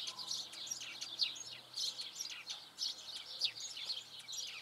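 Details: Eurasian tree sparrow, an uncommon, locally seen sparrow recorded for the first time; the owner thinks its song is much like a house sparrow's. A busy, unbroken stream of short, high chirps and chips, overlapping and irregular, with faint background noise.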